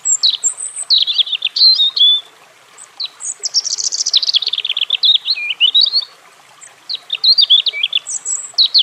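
A European robin gives high, liquid, warbling phrases of quick twitters and thin whistles, three bursts about two seconds long separated by brief pauses.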